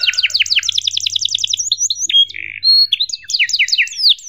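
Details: A long canary song in the cuit-cuit emosi style, made for teaching young canaries: quick repeated double chirps, a brief buzzy note, pure whistles, then more rapid swept chirps.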